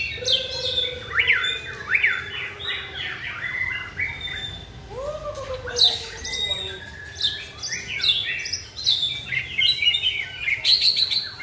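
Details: Caged white-rumped shama during song training: busy rapid varied phrases with up-down notes, two lower rising whistles in the middle, then dense high chattering.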